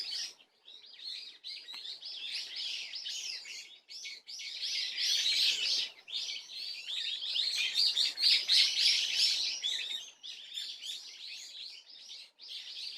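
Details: Long run of swallow twittering on 30 April 2024: fast, high chirps delivered in dense phrases a few seconds long with short silences between, fairly regular in pace.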